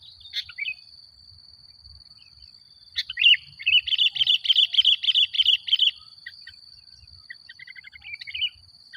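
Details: Sooty-headed bulbul singing actively, a lure meant to agitate other bulbuls: one opening phrase, then a fast run of rapid chattering notes for three seconds, fading into softer repeated notes over a constant high whine.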